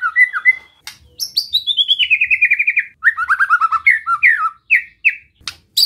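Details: Relaxed besetan song of a white-rumped shama, used to stir other shamas: a long, fast rattling series of notes sliding steadily downward, followed by varied whistled and slurred phrases with sharp high clicks.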